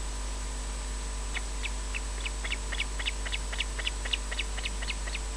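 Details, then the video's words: Alarm calls of an Osprey guarding its nest at RSPB Loch Garten in Scotland, picked up by a nest camera: fainter quick whistled notes starting after a pause and quickening, partly masked by constant hiss. "EJ alarm calls"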